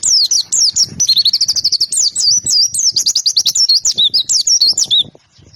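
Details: Energetic white-eye song: a continuous stream of very high, rapid, zigzagging twittered notes, about three per second in dense runs, loud and sustained for several seconds before fading out.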